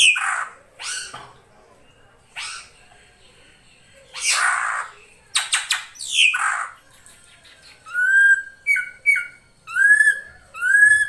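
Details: Female drongo calling to draw in a male. Rough, descending squawks come in bursts, then turn into a quick run of short, clear whistled notes that rise and hold.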